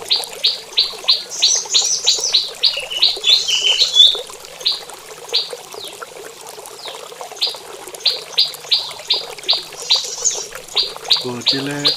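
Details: Caged prinia in a mini aviary at morning, giving its mating call: rapid repeated sharp high notes, some twittering over them, a quieter gap near the middle, then the series resumes, ending with a low thud.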